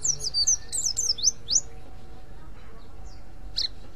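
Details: Ngriwik call of a mountain white-eye, meant to draw in other white-eyes: a quick burst of about six sharp, high, falling notes in the first second and a half, then silence and one or two faint later notes.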